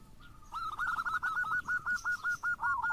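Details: Local zebra dove lure song: a brisk, even train of arched coo notes, roughly four per second, over a hissy background.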